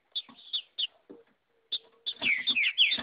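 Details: Wild female green-winged saltator singing like a male in the bush: short bright chips at first, then a loud run of clear swooping whistles at the end.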